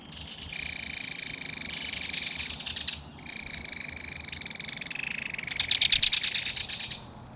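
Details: Chatter between an adult belted kingfisher and its baby at a mud-bank nest during fish feeding: long, fast, dry rattles of rapid clicking notes, broken by a brief pause, then swelling louder near the end.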